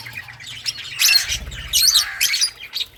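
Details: Lovebirds of various colours giving shrill, scratchy chirps and squawks in short clustered bursts, two louder outbursts near the middle, over a faint low hum.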